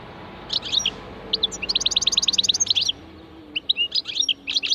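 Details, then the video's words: Wild European goldfinch singing with a ringing tone: bursts of high, tinkling twittered notes, including a fast run of about fifteen evenly repeated metallic notes, then a pause and more jumbled twitters. "تغريد الحسون الخلوي اسمع الرنة"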